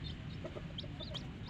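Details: Coloured baby chicks of the domestic hen peeping: a handful of thin, high, downward-slurred chirps scattered through the moment over a low background rumble.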